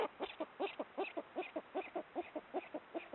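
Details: Pair of Eurasian eagle-owls, subspecies hispanus, in nocturnal mating activity; quiet, evenly paced run of short hooting notes, about two or three each second, doubled in places, continuing throughout.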